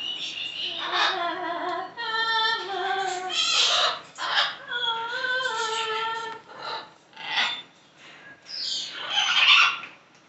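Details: Pet green-winged macaw warming up to sing its favourite song, Minnie Riperton's "Lovin' You": a run of clear harmonic sung notes stepping down and back up in pitch, mixed with hoarse squawky bursts, ending in a louder raspy cry.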